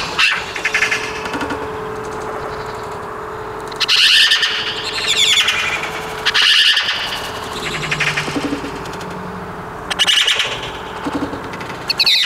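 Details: Eurasian magpie at a town feeder in Vannes, Brittany, France, in autumn, 17 November 2022: loud, harsh, rasping bursts of chatter at irregular intervals, set against a steady low hum and constant urban background noise.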